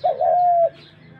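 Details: A single dove call: a short lead-in note rising into a long, smooth, level tone lasting about half a second, then quiet.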